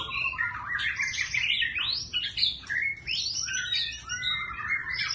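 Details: Dense White-rumped shama song, a rapid tumble of whistled, swooping notes rising and dropping in quick succession, its voice shifting continuously with almost no pauses.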